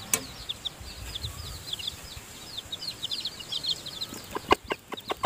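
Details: Seven-tailed chicks, newly hatched, in the nest during feeding by the hen mother. Their high, quick peeps run in a loose stream, and a burst of loud clicking taps comes near the end.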